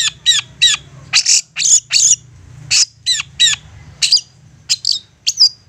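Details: Long-tailed shrike giving a persistent lure song meant to make other shrikes answer: a fast run of short, harsh, high chattering notes, some downslurred, in uneven bursts with brief gaps.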